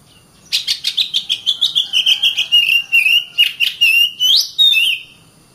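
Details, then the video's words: Oriental magpie-robin (kacer) song: a fast series of about fifteen bright, evenly spaced notes sliding gently downward, then longer trilled whistles ending in a sharp upward-sweeping slur. "Kacer Bird Singing"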